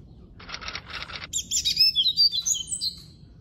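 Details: Captive-bred Double-collared seedeater (coleiro preto) singing in the classic song style (canto clássico): a burst of rapid buzzy pulsed notes, then bright whistled, warbling phrases that slide between high and very high pitches, over faint low background hum.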